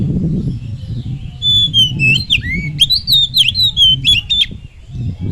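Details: Oriental magpie-robin singing as a provoking lure: clear whistled phrases swooping up and down, with sharp clicks in between, over a steady low rumbling background noise.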